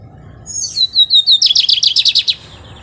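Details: Lined seedeater, a bird found across Brazil in open fields and shrubby clearings near water, sings a short phrase: thin high notes sliding down, then a fast run of buzzy repeated notes lasting about a second.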